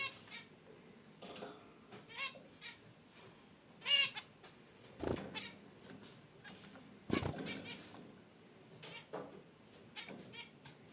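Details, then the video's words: Relaxed caged zebra finches by a wicker basket nest trade short nasal honks, while two loud rustling bursts, likely from movement in the nest, cut in midway. "Zebra Finches in Their Cage: Natural Chirps & Sounds"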